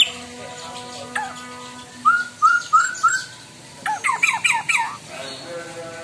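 A white-rumped shama sings four quick, upslurred whistles followed by a burst of harsh, rapid chattering notes, with faint background hum.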